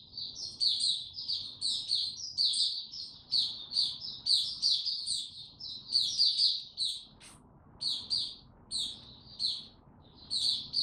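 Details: Caged white-eye singing in warm, very humid weather: a rapid, continuous run of high, thin chirping and twittering notes with frequent sharp flourishes, delivered in bursts with a brief pause midway.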